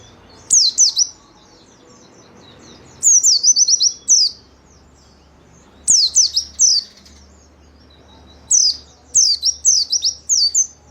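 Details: White-eye in gacor song, kept in a cage and played as a training lure for other birds, giving four bursts of rapid, high, downslurred whistles, each burst lasting about a second with gaps of roughly two seconds.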